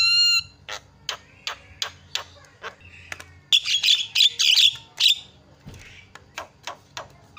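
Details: Javan myna calls used as a lure to draw calls from other birds: a clear whistled tone, spaced dry clicks, then a loud harsh chattering burst followed by more sparse clicks.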